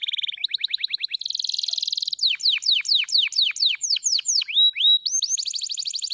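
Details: Canary song with a short rattling trill, a dense buzzy roll, then a run of loud downward-sweeping whistles repeated about twice a second, ending in rising whistles and a fast trill.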